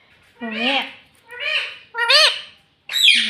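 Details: Talking parrot, a pet said to say "mummy" and "papa", giving four quick voice-like syllables with bends in pitch, the last one a harsher squawk.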